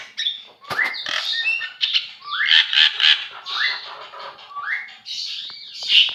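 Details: Singing Javan myna used as training audio for songbirds, mixing rising whistled slurs, sharp clicks and harsh grating notes into a varied, continuous jumble.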